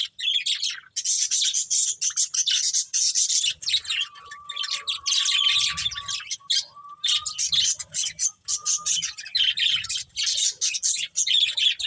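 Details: Two budgerigars, a breeding pair, twitter in rapid scratchy chirps almost nonstop, while a faint level whistle-like tone runs beneath the chatter for several seconds.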